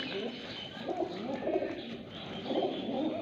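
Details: Fighter pigeons in a Pakistani Sindhi village, a flock cooing in soft, low, rolling phrases that rise in bursts about every second and a half, overlapping one another.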